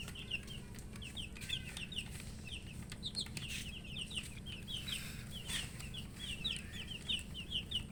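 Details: Poultry chicks with thirst for drinking water cheep continuously, high thin notes falling in pitch, tumbling over one another from several birds over a low background hum and scattered clicks.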